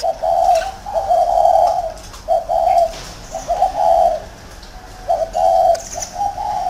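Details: Caged spotted dove used as a decoy bird in a round cage, giving rounded, mellow coos in short bursts of two or three notes, each phrase ending in a longer drawn-out note, with brief pauses between phrases.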